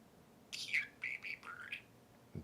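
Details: Pet budgerigar, a parakeet being taught to say "I like rock and roll" and already knowing "I love you" and "I like tacos", gives soft scratchy chirps and warbled notes over about a second, with a person's speech before and after.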